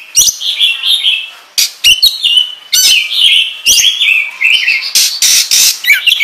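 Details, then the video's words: Oriental magpie-robin in full song, played as a lure: warbled whistles around a steady middle pitch, interrupted by loud harsh rasping bursts and sharp clicks in an uneven, energetic rhythm. "Pancingan Kacer Gacor Ngobra Menggila"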